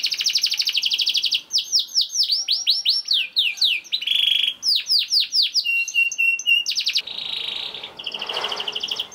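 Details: Energetic young canary song for prompting other canaries to sing: rapid high trills, looping sweeps and chirps, brief buzzy rolls, changing phrase after phrase with no pauses.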